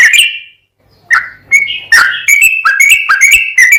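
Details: Sooty-headed bulbul 'gacor' song: after a falling whistle and a short silence, bright, chirpy whistled notes come faster and faster, crowding into a lively trill-like run.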